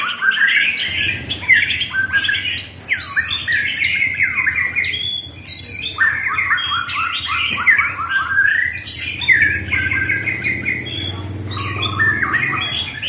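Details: White-rumped shama giving a loud, rich, continuous stream of varied whistled and chattering phrases, with quick rising and falling notes and some harsher squawky bursts, barely pausing across the recording; no other clear sounds.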